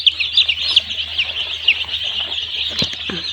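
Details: A crowd of day-old chicks in a poultry farm makes a busy, high-pitched peeping chorus, a few louder piercing peeps early on, then a brief thump near the end.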